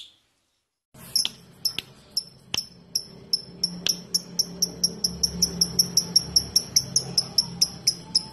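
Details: Lovebird in ngetik-ngekek style, a trill meant to prompt other lovebirds to join in: after a second of silence, sharp high chirps start widely spaced and speed up into a quick, even chatter, with faint low room hum.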